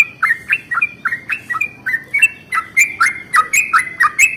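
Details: Yellow-vented bulbul in the morning, delivering a long rolling song to provoke rival bulbuls into singing: rapid, bubbly, whistled notes rising then dipping, repeated about three times a second throughout.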